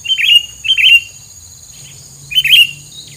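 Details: Singing bird giving a filler song to daunt rival birds: three loud, rich warbled chirp phrases about a second apart, with a constant high-pitched hum in the background.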